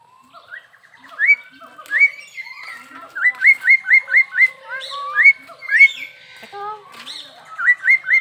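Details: Loud, vigorous crested myna song at a zoo park in Perbaungan: a fast run of repeated, bright rising whistles, about three each second, with a few lower slurred notes between.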